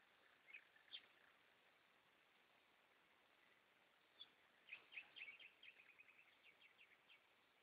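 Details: Singing goldfinches at night, somewhat distant: sparse chirps early, then a lively series of quick twittering notes that tapers off, with steady hiss beneath.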